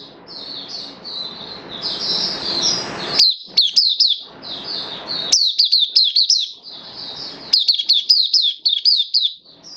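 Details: Caged oriental white-eye on 11 September 2022, slightly off form, pours out long runs of thin, high, rapid chirping phrases, with softer warbled stretches and faint room noise between bursts.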